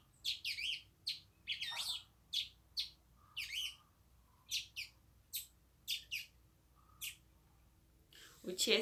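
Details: Brazilian tanager (Ramphocelus bresilia), song.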